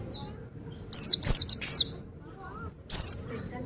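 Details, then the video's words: Oriental white-eye (pleci) singing: several loud, high, sharp down-slurred chirps in a quick burst, a pause, then one more high descending note, with faint thin whistles in the gaps. "Dengar Suara Burung Pleci Ini"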